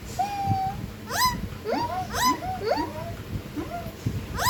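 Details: Pet ringneck parrot talking: a string of squeaky, nasal rising and falling syllables like mimicked words, with a drawn-out tone at the start, sharp high squawks between phrases, and background music.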